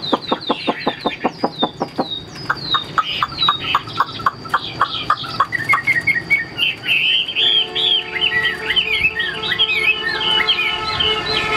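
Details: Chinese hwamei kept in a cage for sale: a series of sharp evenly spaced clicks or taps opens, giving way to rising, looping whistled phrases that grow faster and richer toward the end.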